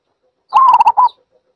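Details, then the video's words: Zebra dove call, a brief rolling coo: a sustained note followed by three fast stuttering pulses and a closing coo, clean and quiet around it apart from a faint high tick. "សំលេងលលកដី Zebra Dove"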